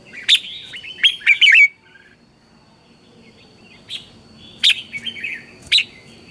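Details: Red-whiskered bulbul giving training-decoy morning song in the intense 'căng lửa' style: an opening cluster of quick, bright chirping whistles, a pause, then scattered ringing notes, with a continuous high whine underneath.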